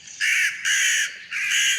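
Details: Crow heard in Tokyo, Japan, giving three harsh, drawn-out caws of similar length with short gaps between them, with no other sounds.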